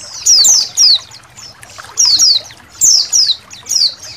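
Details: White-eye colony, part of a songbird training recording with trickling water: bright, high down-slurred chirps in pairs and triplets, separated by short quiet gaps.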